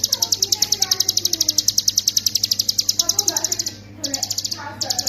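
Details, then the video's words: Master song of a hill prinia, delivered 'ngebren' for songbird training. A long, dense string of quick, sharp, high-pitched notes breaks briefly near the end, then resumes. Soft human voices are audible underneath. "ciblek gunung paling dicari sebagai masteran"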